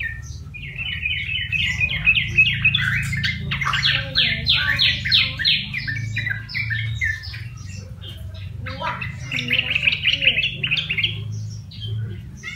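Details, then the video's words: Tamed wild-caught yellow-vented bulbul, kept caged for a month, gives long bursts of rapid bubbly chattering notes, loud at first, a quieter middle stretch, then another fast run, over constant low indoor hum. "Contoh Burung Trucukan (Jogjog) Liar Yang Dirawat 1bulan Udah Bersuara"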